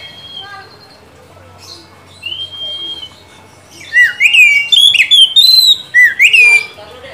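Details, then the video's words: Oriental magpie-robin song used to coax a quiet bird into singing: faint scattered notes and a soft drawn-out whistle at first, then from about four seconds a loud, fast series of rising and dipping whistled phrases. "pancingan kacer macet/bahan agar rajin bunyi dan gacor ngeplong"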